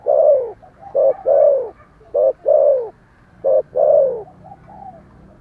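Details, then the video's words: A Spotted dove coos eagerly, each phrase a brief clipped note then a drawn-out, softly falling coo, repeated three times in quick succession with little else audible. "Thổ Sấm gáy gọi, thúc gù rất sung"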